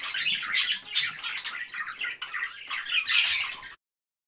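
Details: Parakeets chirping in busy, raspy bursts of overlapping squawks and high chirps that build to a loud final flurry before cutting to silence.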